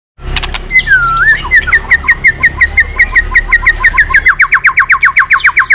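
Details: White-rumped shama in full song, used as a lure to set other birds singing: a looping whistled phrase around two seconds in, then a fast string of short clipped notes, ending in rapid even buzzy pulses.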